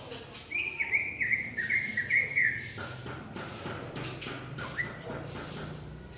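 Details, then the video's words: Asian pied myna singing in full, varied voice from a tree: a run of harmonic, warbling and creaky phrases near the middle pitch range for about two seconds, then softer scattered notes over steady background hiss. "Suara Asli JALAK SUREN Gacor FULL ISIAN Di Atas Pohon"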